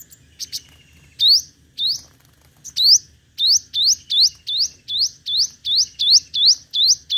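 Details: Competitive song of a five-coloured sunbird used as a lure. A few scattered notes build into a steady, fast string of bright rising upswept notes, nearly three per second.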